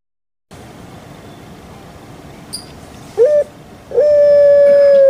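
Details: Kept puter pelung dove calling: after a quiet stretch with faint background hiss, a short clipped note is followed by the start of a long, steady, mellow held note that runs to the end.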